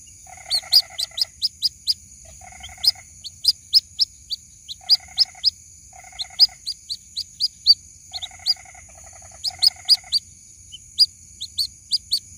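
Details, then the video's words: White-breasted waterhen chick calling for its mother, recorded as a lure. Long series of thin, high peeps mix with repeated short rasping buzz bursts at intervals of a few seconds, over a steady high hum. "SUARA ASLI PIKAT ANAK BURUNG RUAK RUAK MEMANGGIL INDUKNYA"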